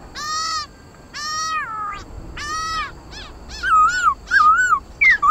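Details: Black laughingthrush (khướu mun) singing a fired-up competitive song used to stimulate pet birds to sing: three long harsh harmonic notes, then rapid wavering whistled phrases rising and falling.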